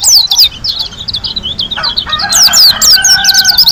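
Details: White-eye from Lombok, described as an actively singing bird in a super ngalas style with tembakan bursts: rapid, high, thin whistled notes sliding downward in quick twittering runs. A rooster crows in the background midway.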